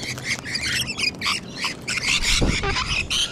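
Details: Sulphur-crested cockatoos and rainbow lorikeets in Sydney, Australia, produce harsh broken squawks in rapid bursts, with a brief low thump partway through.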